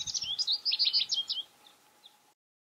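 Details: American goldfinch song at winter feeders stocked with sunflower seed and thistle: a quick run of high, twittering notes, bright and varied, lasting about a second and a half before fading, with a steady faint hum underneath.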